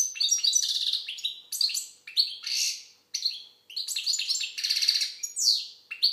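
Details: Song of a European goldfinch from Algeria, lively high chattering phrases mixing wheezy buzzes and crisp tinkling notes, with short silent breaks between phrases.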